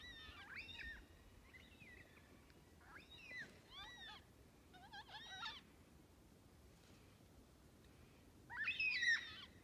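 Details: Several black cockatoos from a flock of roughly 100, feeding on parrot bush at Lake Clifton, Western Australia. Short, quavering, downslurred calls repeat irregularly, then end in a louder burst of overlapping wails.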